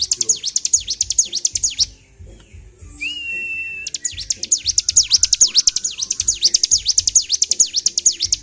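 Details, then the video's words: Bar-winged prinia, excited and singing without stopping: rapid high, sharp sweeping chips in long runs, interrupted by a gap containing a single drawn-out rising whistle, with low thumping noises underneath. "CIBLEK GACOR || PANCING EMOSI BURUNG CIBLEK"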